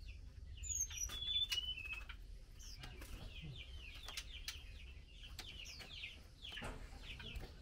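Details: A female Chinese hwamei fed mealworms calls for the male: steady stream of brisk descending chips, about three to four per second, with brief high whistles early on and intermittent tapping sounds.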